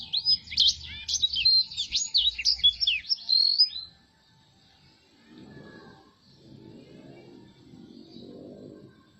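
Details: Blackthroat with a soft song: about four seconds of quick, high, jumbled twittering and whistles, then quiet with faint low background rumbling.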